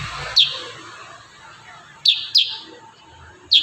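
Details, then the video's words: Kurincang giving high sharp falling notes in close 'tembakan rapat' shots, one isolated note then a quick pair and a final chip, over a hissy background. "Masteran burung kurincang tembakan rapat"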